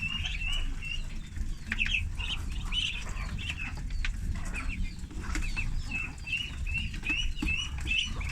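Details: Thirty farm ducklings at feeding time, giving a steady stream of short, high peeping chirps repeated rapidly throughout, over a low rumbling background of shuffling and handling noise.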